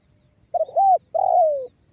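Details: Spotted dove singing the banggo bocor style, used as a lure to make other spotted doves call and coo. One phrase: stuttered short hoots, a rounded arched coo, then a long low coo falling away. The background is quiet.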